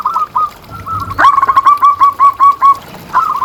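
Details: Zebra dove used as a master recording to lure and train doves: soft scattered coos, then a loud rapid series of about eight round cooing notes, ending with a fainter phrase.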